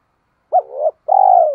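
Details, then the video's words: Decoy spotted dove giving one brief phrase: a short swooping note sliding into a soft trailing coo, then a long, steady, husky coo. "Chim Cu Mồi/ cu gay kich boi nhanh noi thúc gáy gọi"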